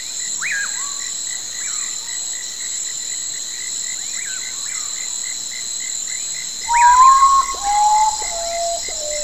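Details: Common potoo (Nyctibius griseus) at night in forest gives its mournful song, a loud whistle falling step by step through about four slow, sad notes, over steady insect trilling, with faint whistles earlier.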